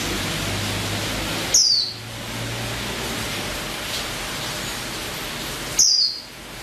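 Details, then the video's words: Two quick, piercing, downslurred chirps from a female white-eye (pleci), about four seconds apart, with steady noise and a faint low hum between them. "SUARA KICAU BURUNG PLECI BETINA"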